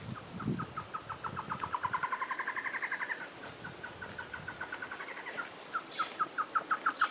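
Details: Black-headed trogon near La Fortuna, Costa Rica, male and female singing in response to each other or to territorial intruders: a long, hurried run of hollow clucking notes, speeding up and rising slightly, then slower notes, over insect hiss.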